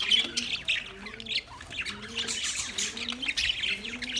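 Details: On 9 March 2024, budgerigars keep up a rough, buzzy high squawking and twittering, moderately loud, accompanied by low repeated hooting tones.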